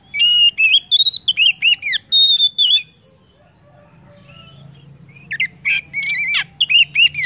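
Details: Kacer (Oriental magpie-robin) lure song meant to stimulate other birds into singing: rapid strings of loud whistled and swooping notes, a pause of about two seconds, then more varied fast phrases.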